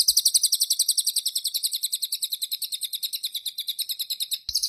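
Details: White-eye (cililin) in song just after its bath: a continuous run of fast, sharp, high-pitched notes repeated at a steady rhythm of nearly four per second, with no other sounds.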